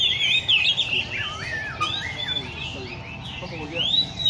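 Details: Oriental magpie-robins kept in cages at a park bird cafe in Lê Thị Riêng park. Varied whistled phrases include looping, swooping notes and sharp upslurs, with faint human voices and a low hum beneath.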